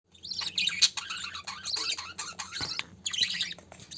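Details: A mother budgerigar feeds her new chick: dense, scratchy chirps and rapid warbles, with the chick's begging calls during feeding.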